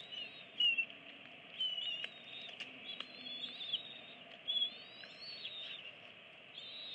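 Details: Bald eagles at a nest, both parents feeding 25- and 26-day-old eaglets on an April evening; thin high whistled and squeaky chirps, some rising then falling, in short bursts with quiet gaps.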